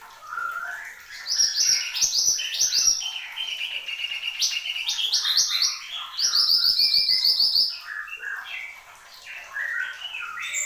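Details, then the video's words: Horsfield's babbler singing vigorously: long, varied stream of quick whistled phrases, buzzy trills and sharp high chirps. A fast, even trill around the middle is followed by softer warbling. "SUARA BURUNG MANTENAN GUNUNG GACOR"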